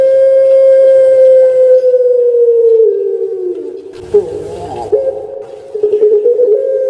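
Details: Caged Barbary dove, kept as a bird known in Java, Indonesia, giving a long melodious cooing: a sustained steady hum that slowly slides lower, then breaks into rolling, gurgling coos.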